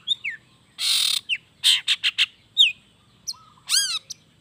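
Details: Long-tailed shrike in forceful mimicry-laden song used to stir reluctant shrikes: a long harsh screech, clipped buzzy notes, thin slurred whistles, and a final rich descending burst.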